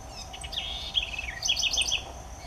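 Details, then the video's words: Melodious southern house wren song: a sliding, warbled opening phrase drops lower, then a quick sequence of bright, bubbling high notes repeated several times, with a soft steady hum in the background. "CANTO alegre e melodioso da CURRUÍRA (Troglodytes musculus) SOUTHERN HOUSE WREN"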